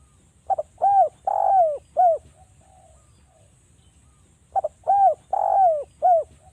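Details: Spotted dove, Javanese type, in a lure recording meant to make other doves call: two cooing phrases, each a quick double note, arched coos and one long drawn coo, separated by a pause of about two seconds.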